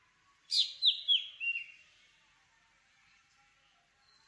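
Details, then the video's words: Black drongo giving one phrase of four sharp, slurred notes that step down in pitch, followed by quiet, then the start of another note at the end; a faint steady hiss sits underneath. "Black Drongo Song ! Black Drongo Call ! Black Drongo Sound ! Black Drongo Vocals ! Voice ! Singing"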